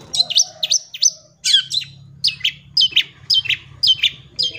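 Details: Song of a long-tailed shrike, played to teach young birds: a steady series of sharp downslurred whistled notes, about two per second, over a faint low hum.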